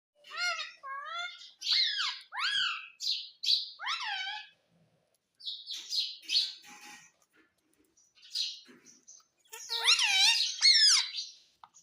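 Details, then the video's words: Pet parrot, kept as a talking bird, giving a series of loud, harsh, harmonic squawks and chirps that rise and fall, in short bursts separated by brief pauses, with a sharper cluster of calls near the end; indoor setting, no other sounds. "Mummy Bolta Tota _ Parrot Speaking mummy mummy _ Talking Parrot"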